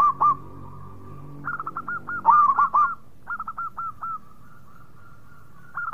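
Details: Zebra dove of the local type in lively song. Brief coos lead into clustered phrases of three to five quick, hooked, rolling notes. Overlapping phrases sit at slightly different pitches.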